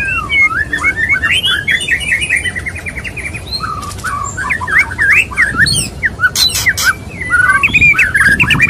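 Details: Male white-rumped shama (murai batu) courting a female; a rich, varied run of whistled notes, rising and falling slurs and quick trills repeated without pause, with sharp rasping bursts near the end.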